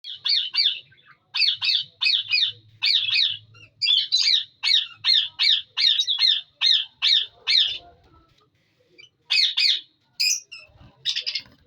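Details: Budgerigars in a breeding colony give harsh, arching squawks in rapid runs of three to four per second, breaking off briefly and resuming, with a faint low hum beneath.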